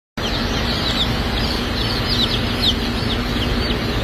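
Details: Welsummer baby chicks at a hatchery, many peeping together: high, thin chirps that slide downward, overlapping constantly in a dense chorus over a steady low mechanical hum.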